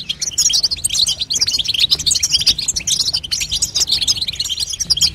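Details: Female European goldfinch babtaba chatter meant to push a young bird into singing. Rapid, high-pitched twitters and short buzzy notes crowd together in an unbroken, busy stream throughout.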